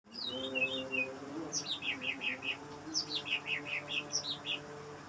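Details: Greater green leafbird singing at night, played to lure other leafbirds: series of short descending whistled notes around high pitch, repeated about three times a second in bursts, over a steady low droning hum.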